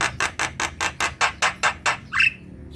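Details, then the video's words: Vigorous singing from a Javan myna, played to coax lazy kept birds into singing: nine harsh, evenly spaced rasping notes about every quarter second, ending in a short rising whistle. "Pancingan jalak kebo malas bunyi | jalak kebo gacor"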